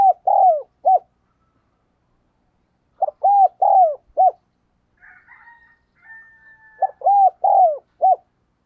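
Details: Energetic cooing from a decoy spotted dove in the thúc and gáy gọi styles, used to lure wild doves: three repeated phrases of three to four mellow arched coos, separated by pauses with faint thin whistling and chatter.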